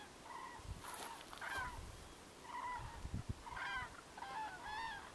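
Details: Flock of common cranes foraging in a winter field, pecking here and there; repeated rolling, trumpeting calls with strong overtones, about one per second, over low thumps and brief broadband rustles.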